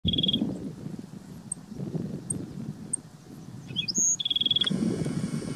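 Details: Black-throated sparrow singing at Gunlock Reservoir, Washington County, Utah, on 12 May 2016: a bright high trill opens, then after short high notes comes a second trill of fast, evenly repeated notes, over low steady background rumble.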